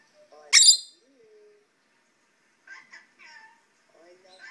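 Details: A pet male rainbow lorikeet indoors, calling in response to playback of another rainbow lorikeet: one sharp, shrill screech, then soft scattered chatters and squeaks in near silence.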